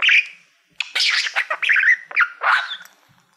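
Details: Male budgerigar kept as a pet, fond of mirrors, warbling at a reflective silver plaque: a short whistle, pause, then a burst of harsh chatter, squeaky whistled notes and buzzy chirps.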